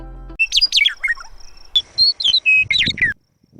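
A Western Meadowlark sings clear, ringing whistles that slide downward, then breaks into quick, bubbling warbled notes. A brief low musical tone comes just before the song.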